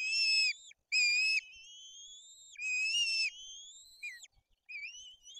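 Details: White-tailed eagle at a nest in the Tuchola Forest (Bory Tucholskie), with fish brought in, chicks fed and an older chick aggressive, gives high, thin, slightly rising whistled notes in bursts every second or so.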